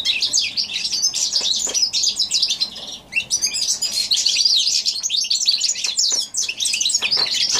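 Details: Hybrid of goldfinch and canary, January 2016, pouring out a loud, sustained high warble of rapid twitters, buzzy trills and clicks, with two brief breaks in the flow.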